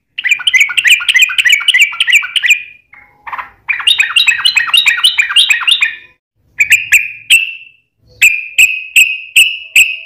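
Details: Yellow-vented bulbul in lively, long rolling 'ropel' song, used as a lure to make other bulbuls answer: loud bursts of rapid chattering, bubbly notes around two seconds each, then separate short clear whistled notes repeated about every half second.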